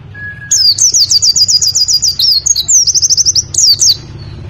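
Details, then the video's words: White-eye training song for caged birds, best played in the morning at dew time: a faint flat whistle, then a long, loud, unbroken chatter of fast, high, zigzag notes lasting about three and a half seconds over low hum. "Masteran Pleci Nembak"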